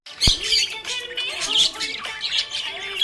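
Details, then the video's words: Cheerful budgerigar warbling in a continuous stream of squeaky, grating high notes and short squawks, with a sharp click at the start and faint tonal lines below. "Happy budgie chirping sound"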